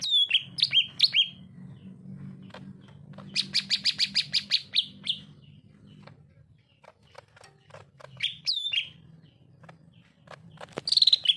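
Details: Greater green leafbird in full-voiced narung song: loud whistled swoops, a fast rattling burst of rapid clicks around four seconds, scattered sharp ticks, then more swooping whistles, over a low steady hum.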